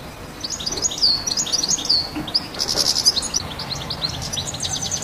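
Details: European goldfinch on the roof of a house, giving rapid, high, tinkling twitters and chirps in quick succession, with short buzzy notes and a few liquid slurred whistles, over a faint low background hum.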